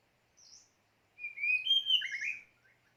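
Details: White-rumped shama decoy bird giving high, thin whistled phrases, a short soft note followed by a longer run of sliding, overlapping whistles.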